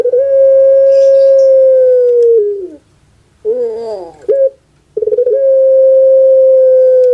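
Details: Kept puter pelung dove from Java, Indonesia, whose characteristic voice goes kuk gerukkk kwokkk. A long sustained tonal note sags at its close, then comes a brief wavering, gurgling phrase and another long steady note.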